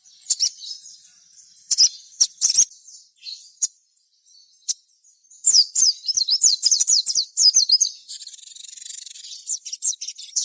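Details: Sogon in gacor song, played to stir other sogon to sing. Scattered high chirps give way to a fast run of rising and falling whistled notes, then a dense, hissy high trill.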